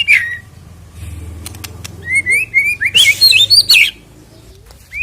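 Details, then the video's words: White-rumped shama singing, played to prompt birds to sing ahead of a contest: a brief whistle, a quiet gap, then a run of rising, slurred whistled notes and sharp chirps lasting about two seconds, with low background hum. "EFEKTIP AGAR CEPAT BUNYI BUAT PANCINGAN MURAI BATU JELANG LOMBA KICAU"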